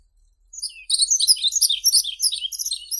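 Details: Yellow-throated bunting (Emberiza elegans) singing: after a brief quiet start, a fast, dense run of high, twittering chirps and sharp tinkling notes continues without pause to the end, with no other clear sounds.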